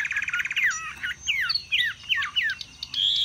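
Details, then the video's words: Chinese hwamei singing, praised as a strong, lasting displayer with high-pitched song: a fast run of repeated bright notes, then loud, varied whistled phrases swooping up and down in quick succession. "Họa mi xòe vip, xòe bền, hót cao cầu"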